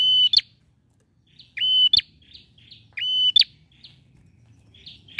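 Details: Male bar-winged prinia singing energetically, used to prompt a silent bird to sing: loud flat whistled notes ending in a sharp upward flick, repeated in pairs with softer buzzy twitters between, faint low background hum.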